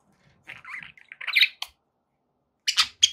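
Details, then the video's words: Indoor pet budgerigar warbling softly in a run of wavering chirps, then a few sharp squeaky calls after a short silence. "budgie sounds to keep your pets in happy bird company"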